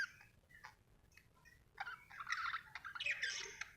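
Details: Happy budgerigar chirping quietly at first, with soft scattered squeaks, then breaking into louder, dense, scratchy warbling chatter over faint low background hum.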